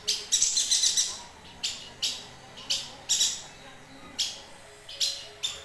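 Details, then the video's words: Yuhina chattering actively, recorded as tutor material for training songbirds: a fast burst of about six harsh, high chirps, then single sharp notes spaced roughly half a second to a second apart. "Burung Yuhina Gacor Untuk Masteran"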